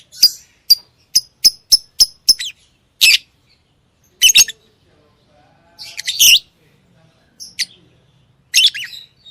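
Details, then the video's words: Lovebird song opening with a rapid, evenly spaced run of about eight sharp chirps, then scattered louder raspy squawks and squeaks with pauses between. "Love bird Singing and Chirping sounds|| Amazing sound of love bird"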